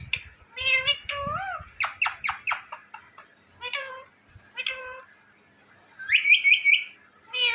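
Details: Indian ringneck parakeet talking indoors, a series of harmonic, speech-like syllables and meow-like imitations, some rising and wavering, followed by a burst of higher rapid chatter near the end.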